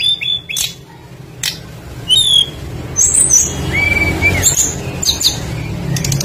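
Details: Lively tledekan flycatcher in varied full song, meant to lure other birds into singing: scattered high whistles and ticks, a clear flat whistle rising slightly near the middle, then quick sharp chirps, with a low droning hum underneath.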